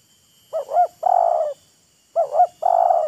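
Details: Spotted dove in a call exchange with a decoy bird, both showing off: the full phrase repeated twice in quick succession, each a paired lilting coo and a long, purring coo.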